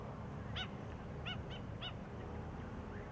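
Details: Four short, shrill, sharply down-slurred piping notes from an Australian pied oystercatcher, spaced unevenly over about 1.5 seconds, over steady wind and surf. One of a pair hunting in beached seagrass wrack in the shallows of Peel Inlet, south of Perth, Western Australia.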